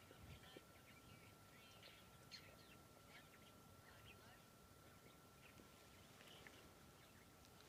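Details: Red-winged starlings chatter in a busy run of short, squeaky notes and bursts on a hot, breezy 13 March 2023 morning, with a man talking and a steady hum in the background.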